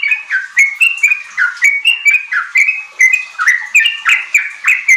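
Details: Sooty-headed bulbul singing vigorously as a lure for untrained kept birds to sing riwik ropel. Loud, regular paired notes, a low slurred note then a higher whistle, repeat about three times per second against a clean background.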